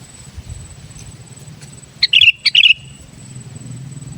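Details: Sooty-headed bulbul, a kept bird singing actively, used to lure wild bulbuls: two quick bubbly phrases of sharp notes followed by short warbled, slurred whistles, both in the middle of the recording, with a faint steady hum and quiet background otherwise.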